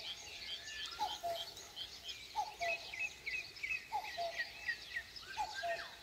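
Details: Countryside dawn chorus in Korea with a common cuckoo repeating its low, falling two-note call four times at steady intervals, while another bird sings a rapid string of high chirps.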